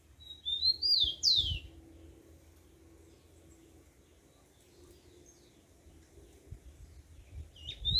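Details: Yellow-bellied seedeater in the wild at dawn, singing a short burst of high sweet whistled notes that slide downward, then a pause with faint low hum before another phrase begins at the end.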